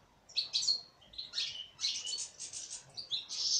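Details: Female European goldfinch, caged, singing a dense burst of harsh buzzy notes and high twitters, growing louder toward the end.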